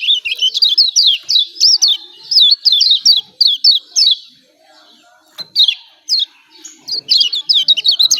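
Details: Emotional 'ciak ciak' calling of a Lombok kecial kuning, meant to draw silent birds into song: evenly repeated high downward chirps about three per second, a quiet gap, then scattered notes.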